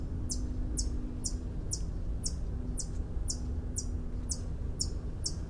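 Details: White-eared hummingbird, a stocky hummingbird of mountain pine-evergreen forest clearings, repeating sharp high ticking notes roughly twice a second in a regular series, with constant low-frequency background noise.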